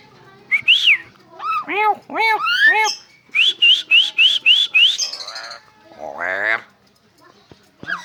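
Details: Asian pied starling that can imitate a cough gives a varied run of arched whistles, a quick series of rising notes, and a harsh, raspy cough-like burst near the end.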